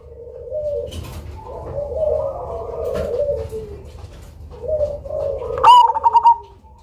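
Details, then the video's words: Cemani zebra dove used as a lure ends with one loud pulsed coo phrase after several seconds of softer, lower cooing from surrounding doves. "PERKUTUT CEMANI GACOR SUARA BESAR IRAMA UNIK COCOK BUAT PANCINGAN"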